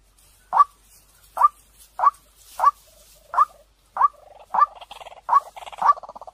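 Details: White-breasted waterhen decoy call. Sharp notes are spaced under a second apart, and a pulsed bubbling trill runs under them through the second half.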